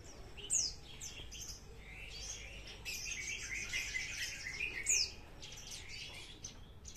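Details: Parva bush lark carrying a ring, a prospect bird, delivering fast trotol-style song: dense twittering runs, rattling trills, and piercing high descending whistles near the start and end.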